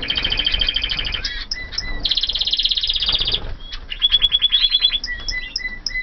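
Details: Canaries from 2014 kept in a flight aviary singing fast repeated trilled tours, bright rapid pulses changing to a lower rolling phrase, then a quick rising series and short whistled notes.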